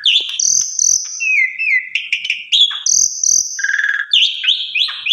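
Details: Asian pied starling (jalak suren) song used as a lure and training recording for other starlings: varied loud whistles and buzzy rasping notes, some sustained, some rising, in quick changing phrases, with faint low thumps.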